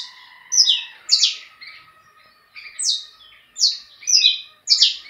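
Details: Song of a bred saffron finch: bright, downward-sweeping chirps repeated about twice a second in uneven bursts, over a faint steady background tone.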